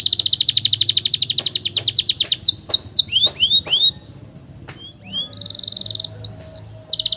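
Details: Canary long-roll song to tutor young canaries: a rapid pulsed roll, several swooping whistles, a short buzzy trill and scattered upslurred notes.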